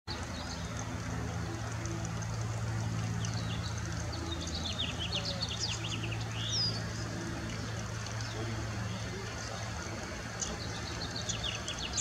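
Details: Yellow warbler singing quick, sweet, high phrases of slurred notes that drop in pitch, over a steady low engine-like hum; William R. Mason Regional Park, Irvine, California, 9 May 2018.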